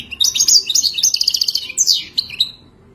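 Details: Moroccan goldfinch, Wadani song style, described as wild, delivering a rapid, tinkling, high-pitched warble of quick chattered notes that slows into a few drawn-out, descending whistles and fades.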